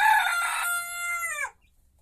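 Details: Young rooster crowing inside a henhouse: one strong crow of about one and a half seconds, harsh and buzzy at first, then a sustained level tone that bends downward as it ends, with silence after.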